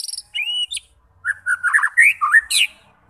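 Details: Song of a white-rumped shama, meant to spur fighter birds to sing: a clear whistled note, then a dense run of warbled, rising and falling phrases with bright high chips.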